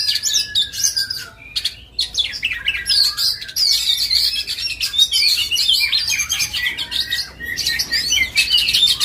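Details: Oriental magpie-robin (kacer) in an Indonesian songbird-hobby setting, delivering varied bursts of chattering notes and bright whistled phrases in quick succession, with brief gaps and a faint thin descending whistle underneath.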